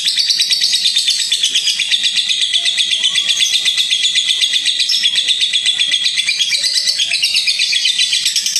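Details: Lovebird ngekek trill, used to provoke a reply, rendered as a dense, buzzy stream of very rapid high chirps running continuously for over eight seconds.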